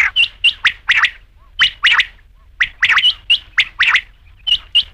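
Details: Rain quail (batair) calling: sharp, buzzy double notes in quick pairs, repeated roughly once a second with short pauses, clear against a quiet background.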